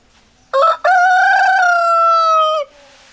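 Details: Rooster crowing: one loud, rich cock-a-doodle-doo that opens with a short rising syllable, then a long sustained, slightly falling note lasting about two seconds, cut off abruptly, over quiet background.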